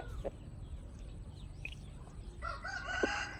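A chicken gives a harsh, drawn-out, crow-like call in the last second, over a steady low rumble of background noise.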